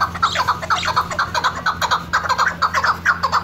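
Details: Hunting chukar, a female, calling steadily with repeated short clucking notes roughly twice a second, mid-pitched and somewhat regular, a faint low hum underneath.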